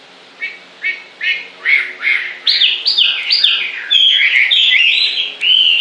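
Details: Songbird opens with short evenly spaced chirps about twice a second, then breaks into a dense, loud warble of sliding whistled notes until the end.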